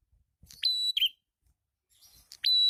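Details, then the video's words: ['Brief stretch of red-headed prinia lure song. One full phrase has an upward flick, a level whistle and a falling slur, followed by faint chatter and the start of another whistle.'] "SUARA PRENJAK KEPALA MERAH/PRENJAK ATAS GACOR"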